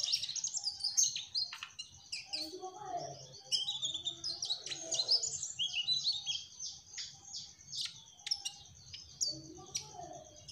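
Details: Mugimaki flycatcher (trotol) singing vigorously: a dense, high, scratchy twittering of quick chirps and rapid trills that runs almost continuously. A faint low hum sits underneath.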